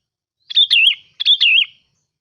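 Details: Two brief matching phrases from a sooty-headed bulbul used as a decoy: each is a clear, liquid whistle that dips and lifts, delivered back to back.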